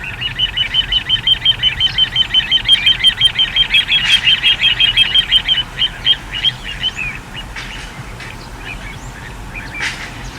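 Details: Little ringed plover, recorded on a date given as 21 04 14, uttering a fast, even series of short high piping notes, nearly three per second, for about seven seconds before fading into scattered softer notes, over a low background hum.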